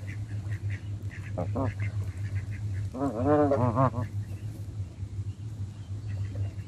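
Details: Canada geese being hand fed, giving a cluster of nasal, harmonic honks in the middle, preceded by two shorter calls, over a steady low hum and light background noise.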